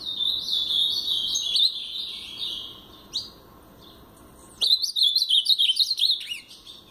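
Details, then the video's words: Brown-plumaged (pardo) blue-black grosbeak singing the Paraná song style: two fast warbled phrases of quick sliding whistled notes, the first dropping into scattered chips before a brighter, louder second phrase with sharp slurred notes. "Azulão Paraná pardo"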